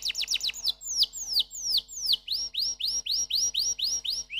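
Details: Canary song with quick downslurs, then slower falling notes, then a regular series of rising upsweeps, about three a second.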